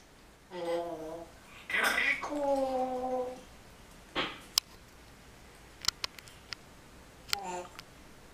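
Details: Pet female grey parrot (Psittacus erithacus) with a large vocabulary imitating speech: a few short, voice-like phrases with clear harmonics, spaced by pauses, with scattered clicks and taps in a small room.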